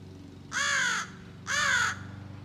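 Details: A young American crow trying out territorial and scolding calls: a pair of long, harsh, slightly falling caws, half a second apart, against a steady low hum.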